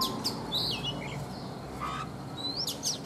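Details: Morning singing from a caged Oriental magpie-robin, originally wild-caught and kept three seasons: a few spaced whistled slurs, rising and falling, with brief chirps, separated by pauses over a low hum.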